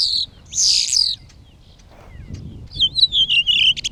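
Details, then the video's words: Common starling near its nest under a hut roof, singing while flapping its wings: a harsh buzzy burst, a short pause, then a run of warbling wavering whistled notes. "Filming singing Starlings"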